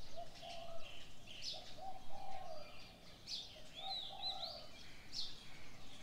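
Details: Early-morning birds: a series of short low coos repeating roughly every second, overlaid by bright high chirps and brief whistled notes.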